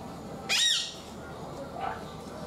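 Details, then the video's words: Red-headed parrot, a leaf-green bird with a red forecrown and bluish nape, gives a single loud, harsh squawk lasting about a third of a second, then faint calling follows softly. "Red Head Parrot"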